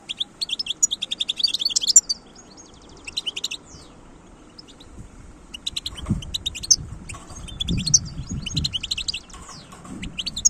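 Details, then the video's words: Wild-caught European goldfinch from 2022 delivering lively, jangling twitter phrases, high and rapid, in several bursts, while low thumping and rustling noise rises in the second half. "تغريد حسون خلوي"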